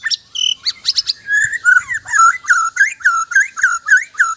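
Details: White-rumped shama (murai batu), linked to Sabah, Borneo, singing a loud, rich run of varied whistles and chattering notes. It settles into repeated slurred, rising-falling whistles roughly three per second, with bright high overtones and no other clear sounds.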